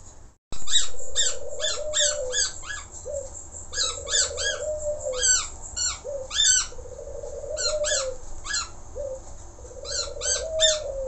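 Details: Budgerigar chattering with rapid clustered clicks and chirps in bursts, alongside a repeated buzzy, steady mid-pitched trill roughly every second or two, over a low hum.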